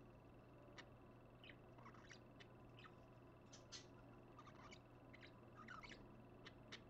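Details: Two pet parakeets heard at 5:20 in the early morning on Friday, 30 January 2015, giving soft, scattered short chirps and twittering notes at irregular intervals over a steady low electrical hum.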